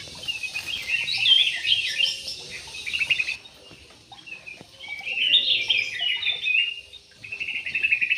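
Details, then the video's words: Harsh parakeet squawks in an aviary, coming in two dense chattering bouts separated by a quieter gap, with a short final burst. "PARKIT JUMBO"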